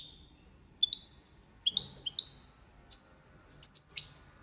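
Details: Copia malaga training song by a European goldfinch: a string of bright rising chips and short whistled notes, spaced irregularly about once a second, some paired, recorded close and clean.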